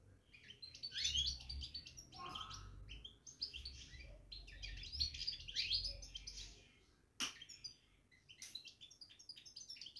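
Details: Caged European goldfinch performing batbata, a dense, excited twittering with liquid trills, over a low background hum and a couple of sharp clicks.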